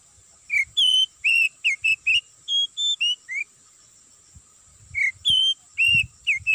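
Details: Oriental magpie-robin lure song for trapping in an oil palm plantation: a string of separate whistled notes at varying pitch, a pause, then more slurred whistles, with faint low rustling and a steady high hiss.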